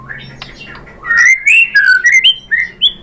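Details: White-rumped shama (murai batu) song intended to make other shamas sing: quiet start, then loud clear whistles slurring up and down, spaced a fraction of a second apart.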